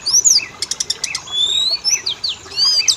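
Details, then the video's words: Oriental magpie-robin song meant to set both sexes singing: quick high whistles, a brief rattling burst and sweeping slurs in a dense three-second phrase. "Pancingan burung Kacer; jantan betina langsung bunyi"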